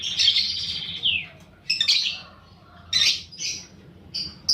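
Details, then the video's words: Paud balibu lovebird, fighter type, as lure for other lovebirds: harsh descending squawking trill, then separate loud shrill squeaky bursts with pauses. "pancingan burung lovebird paud balibu fighter mp3"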